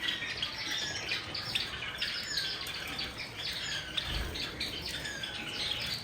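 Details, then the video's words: Java sparrows bathing together produce a busy stream of sharp, high chirps and brief squawky notes, many birds overlapping, over a constant wash of splashing water. "Java sparrows taking bath with original sound"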